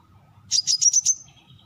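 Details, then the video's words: Brown-throated sunbird: a brief burst of five loud, sharp, high notes, slightly rising, with a faint thin note after. "เสียงนกกินปลีคอสีน้ำตาล Brown-Throated Sunbird Sound"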